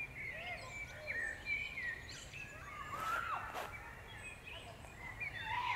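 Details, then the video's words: Birdsong in the Powsin Botanical Garden in May 2016; several birds sing at once, with overlapping whistled phrases and warbled notes, a few sharp clicks, under a steady low background rumble. "śpiew ptaków maj 2016"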